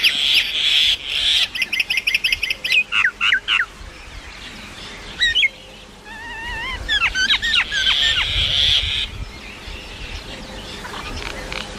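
A common myna runs through a varied medley: rapid ticking notes, nasal harmonic squawks, then bright rising and falling whistles, over a steady background hiss.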